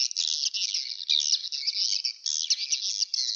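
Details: Swiftlets in a dense, unbroken twittering chorus of high, buzzy chirps, with brief dips every half second or so, played through a speaker as a lure call for a swiftlet nesting house.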